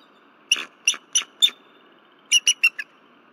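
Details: Female bald eagle alarmed at night on her Berry College nest, February 15, 2023, calling until the male arrives. Rapid high chirps in two runs of four, roughly three notes per second.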